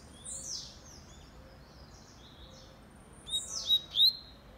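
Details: Kept Double-collared seedeater of the fast 'velocista' singing style: faint high slurred notes early, then three loud, sharp whistled notes in quick succession near the end, with soft background hiss.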